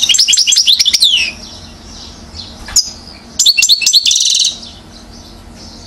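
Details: European goldfinch, one year old, from Mouzaia, Algeria, recorded 2012, delivering two bursts of fast, liquid twittering with a sharp click between, separated by a quiet pause.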